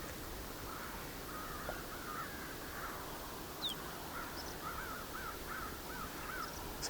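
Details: Around 70 crows near a roadside snow bunting feeding spot in Haldimand County, Ontario, in winter, some landing on wires, caw in a steady, overlapping chorus of harsh calls; thin small-bird chirps, wind and a busy road behind.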